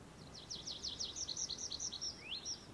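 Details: Tree pipit singing: a quick run of about a dozen high, thin, repeated chipping notes that speed up slightly, ending with a couple of rising slurred whistles, over a steady low background rumble.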